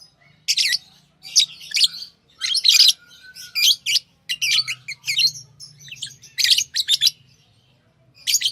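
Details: Chirping lovebirds give repeated sharp, high, rasping chirps in quick clusters, with a faint low hum running underneath.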